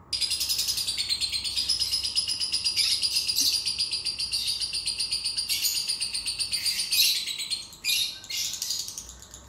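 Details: A long, shrill, rapidly pulsed chattering from a lovebird, played to prompt a lazy lovebird to sing, runs steadily for several seconds before breaking into harsher, separate bursts near the end.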